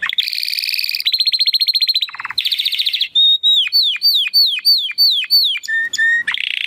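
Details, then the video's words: Male Timbrado Español canary from a 2020 breeding, singing a training song: buzzy trills, a brief low rattle, a held whistle, then evenly spaced sharp downward-swooping notes and a final buzzy roll. "Canary 's Training Song"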